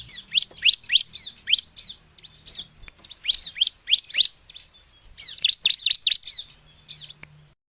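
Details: Bar-winged prinia singing energetically, used as a bird lure: clusters of rapid, sharp, high sweeping chirps separated by brief pauses, over a faint steady high tone.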